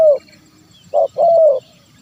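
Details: Zebra dove call meant to lure wild birds: one short coo followed by a longer drawn note, after the tail of an earlier phrase; quiet background with faint high chirps.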